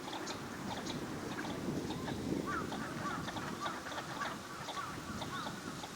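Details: Wintering Northern shovelers on a park pond in Chiba, Japan, February 2026: a quick string of brief nasal notes, irregularly spaced, against steady low rumble and scattered faint clicks.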